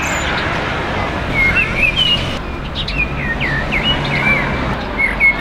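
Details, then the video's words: Common blackbird in a tree beside a house with other local birds, singing loudly over heavy noise below. It gives clear, slurred, whistled phrases, some rising and some falling, against a constant low rumble of traffic. "שיח שחרור עם ציפורים על עץ ליד הבית"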